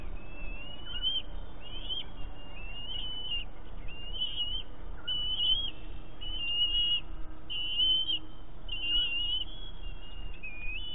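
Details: Eaglet of bald eagles on a camera-watched nest at Big Bear, 7 May 2018, squeeing while its mother eats a fish. A steady run of short, high, warbling squeals, about one per second, sits over a constant low rumble.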